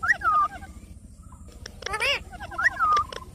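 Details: Parrot chirping: a short whistled note that rises and then slides down, heard twice about two and a half seconds apart, with a brief harsh, noisy burst between them over a low background rumble.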